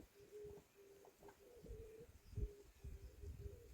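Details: Bird heard in a high mountain village 700 m above sea level, Jeongseon, Gangwon-do, Korea: soft, low, steady hooting notes in an even repeated series, faint against rustling and low background rumble.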